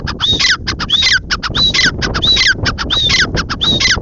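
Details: Grey francolin, known locally as teetar, calling: a loud, harsh, squeaky phrase with a sliding whistled note, repeated rapidly about every three-quarters of a second in an insistent rhythm over a low background rumble.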